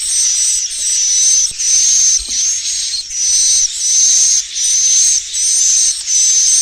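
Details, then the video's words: Swiftlet sound recorded inside a productive swiftlet house, heard as high, hissing twitter bursts about a second long with a thin sustained whistle inside each, repeated almost back to back. "Suara Asli Walet Yang Di Rekam Dalam Gedung Produktif"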